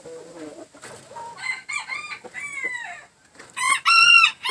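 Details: A green-leg red gamefowl gives soft clucks, then strained, downslurred calls, and ends with a loud, harsh, ringing crow.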